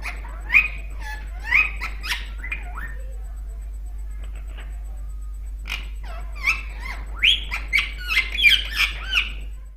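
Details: A male Indian ringneck (rose-ringed) parakeet, described as aggressive, sits at a mirror and gets angry, giving bursts of shrill, chattering squawks and speech-like talking, pausing about three seconds, then resuming with quicker calls.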